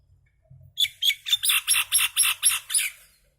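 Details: Little common myna noisily calling: nine rapid rasping notes at about four per second, each loud and buzzy, fading at the end.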